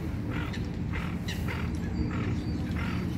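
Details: In a pond, a duck protecting young calls a rhythmic run of five nasal quacks, roughly two per second, evenly spaced, with continuous low background rumble beneath.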